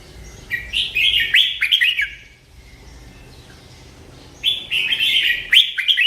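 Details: Merbah lekir bulbul giving a sweet song: two bursts of quick, bubbly warbled phrases in the upper range with short slurred notes, separated by a two-second pause. Background otherwise quiet.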